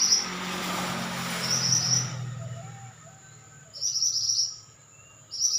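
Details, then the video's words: Pied bushchat song: short high buzzy trills heard through a burst of broadband rustling noise at the start, then two clearer bright trilled phrases later, with a thin steady background tone. "Burung Mantenan Gacor"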